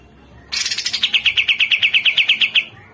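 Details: Grey-cheeked bulbul (cucak jenggot) tutor song: a fast run of about twenty sharp, repeated notes, each dropping from high to mid pitch, steady and evenly spaced for two seconds, with a quiet background.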